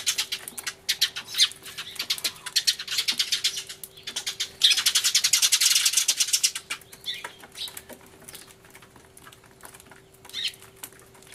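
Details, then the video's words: Noisy sparrows crying loudly in a commotion, recorded on 24 March 2013 with a turtledove present: scattered sharp chirps build into a dense, buzzing chatter of many birds around the middle, then fade to occasional single chips. "スズメの鳴き声（大騒ぎ！音量注意） Crying Sparrows (Beware of loud volume because they're crying so hard!)"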